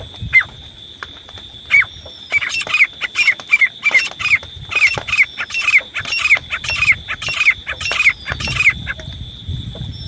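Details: Grey francolin used as a hunting lure: a few isolated shrill notes, then a sustained run of loud, harsh, falling notes in uneven quick succession, over a continuous thin electronic whine.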